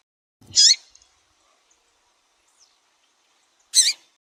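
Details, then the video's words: Female double-collared seedeater calling to stimulate males, two loud high chirps with wavering, hooked shapes, separated by about three seconds of near silence. "Piado de Fêmea de Papa capim para Esquentar Papa capim"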